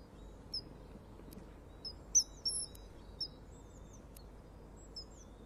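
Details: Common kingfisher at a nest-wall camera on 25 February 2015 around 08:51, flying off and calling loudly toward another kingfisher after landing on a small platform with a little prey item; short, thin, high piercing whistles, several spaced notes with one loud burst, over steady low background hiss.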